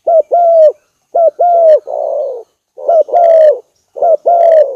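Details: Spotted dove cooing for a lure: a clipped double note then a drawn-out falling coo, repeated several times, one phrase trailing into a rough, breathy coo, with short silences between.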